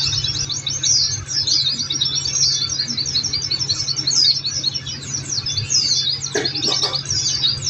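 Oriental white-eye song: a fast, unbroken stream of thin, high twittering and chattering notes, over a low steady hum with a few sharp clicks near the end.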